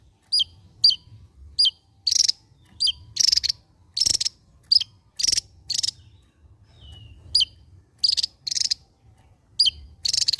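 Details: Javan white-eye, called mungil locally, an endemic Javan songbird, singing: short high chirps alternating with loud dense rattling bursts, repeated irregularly about every half second, with low background rumble.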